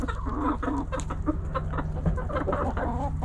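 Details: Backyard hens clucking: a stream of short, irregular low clucks and murmurs, several birds overlapping, over a constant low-pitched hum.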